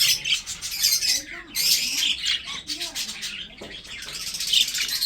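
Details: Pet budgerigars from a breeding setup give scratchy, buzzy chirps and squawks in overlapping bursts, with a faint lower murmur beneath.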